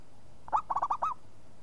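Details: Zebra dove, a local Indonesian bird in full voice, giving a rapid phrase of five short, rolling cooing notes at a steady mid pitch, ending on a slightly longer arched coo; low background hum.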